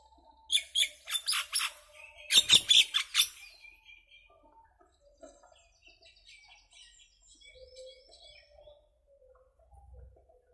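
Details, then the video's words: Common myna singing: a burst of harsh, buzzy and chattering notes rising to a loud, dense cluster of rapid squawks around the third second, then fading into soft, scattered twitters and faint whistles. "Common myna bird song, Indian maina sounds, mynah singing"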